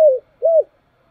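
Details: Spotted dove calling in the morning; just two low coos, one sliding down and one arched, in a brief fragment.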